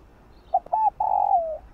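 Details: Morning coo of a spotted dove, used to lure wild birds: a clipped opening note, a short arched second note, and a drawn-out mellow coo that falls gently at the end. Background is otherwise quiet.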